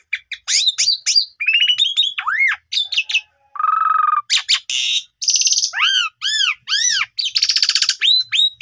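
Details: Asian pied starling lure song for getting young birds to start singing: jumbled sharp whistles and falling slurs, a low harsh nasal note, then arched ringing notes and buzzy bursts.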